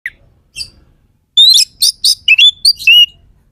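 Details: Oriental magpie-robin (kacer) singing very actively: two faint high notes, then after a pause a rapid run of about seven bright, chirping and sliding whistled notes in quick succession, with no other sounds.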